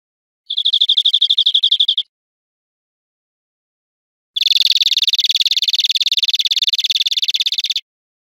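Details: Greenfinch song from an educational recording of wild birds: a short clear trill of rapid high notes, a two-second pause, then a longer harsh, buzzy rattle of about three and a half seconds.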